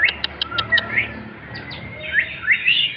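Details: Male white-rumped shama singing in the klewer style: a quick run of sharp ticking notes, then varied high whistled phrases with rising and falling slurs, separated by short pauses.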